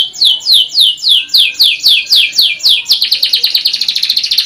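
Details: Canary repeating slurred descending whistles about four per second, then breaking into a very fast bright rattling trill.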